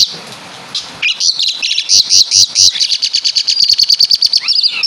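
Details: Asian pied starling from Java singing its caladi and kapas tembak imitations: after a quiet start, an accelerating series of sharp high notes builds into a fast trill, then rises into a final upslur.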